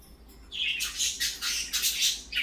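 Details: Parakeets in the morning chattering continuously, a dense run of harsh, buzzy high squawks and warbles following a quiet start, steady hum behind.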